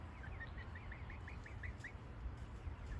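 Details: A young rooster, raised from a chick and practising his crow all month, crows on a morning outing: a quick run of about ten short rising-falling notes, roughly six a second, then one more after a pause, over low wind rumble, apparently warning off a wasp near his home.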